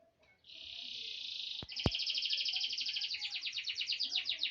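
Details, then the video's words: Young grey songbird, eight months old, singing: after a brief pause a long steady buzzy trill holds for over a second, then breaks into a fast pulsing series of rapid repeated notes, with two sharp clicks in between. "Suara jos cengkok enak didengar.burung anda pasti langsung gacor"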